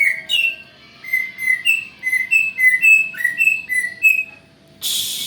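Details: Greater green leafbird singing, used as a lure to provoke a response: a steady series of short, pure whistles alternating between two similar pitches at roughly three per second, cut off by a broad noisy rush.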